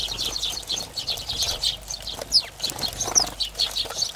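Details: A flock of house sparrows at a ground feeding cam in Recke, Germany, in late autumn (December 2019) keeps up a busy, overlapping chatter of short, high chirps, with soft wing flutters mixed in.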